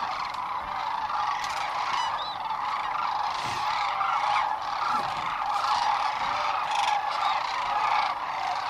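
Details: Dense chorus of many sandhill cranes at a night roost on the Platte River near Gibbon, Nebraska, in spring 2015, where a hawk overhead set off a panic. Overlapping rolling, honking calls merge into a steady mid-pitched roar throughout.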